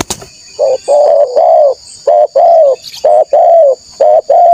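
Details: Lure recording of a melodious spotted dove, used to pull in wild rival doves: paired low coos, a short note followed by a longer drawn-out one, repeated steadily, with a constant high-pitched insect hum behind.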